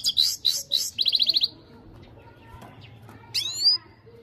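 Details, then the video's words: Goldfinch singing with three chattering high notes, a rapid trilled run, then a pause and one sweeping, buzzy high call. "So beautiful gold finch full singing صدای بلند سایره خواندنی"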